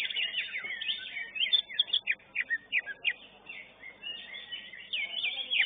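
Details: Greater green leafbird, the first-place winner in class 11 of a bird-singing contest, gives a rich, varied song: quick rising and falling whistled slurs and sharp chips in bursts, with other birds faint behind.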